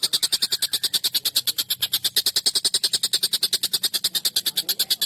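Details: Collared kingfisher in an emotional, nonstop calling bout, used for songbird tutoring: a harsh, scratchy series of quick identical notes, about three per second, continuing evenly without pause.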